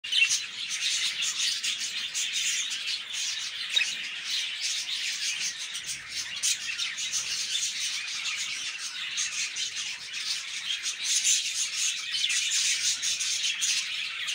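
A flock of budgerigars keeps up a dense, high, continuous chatter of overlapping chirps and warbles.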